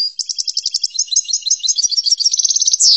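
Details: Goldfinch singing chordonier-style tutor song, a continuous run of rapid, high, clipped twittering notes shifting into a fast even trill, then a brief falling buzz at the end, in a quiet setting.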